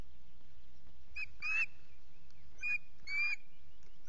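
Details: Loch Garten osprey, a ringed male at the nest on a misty morning, utters paired sharp, slightly rasping notes about a second apart over a low background rumble.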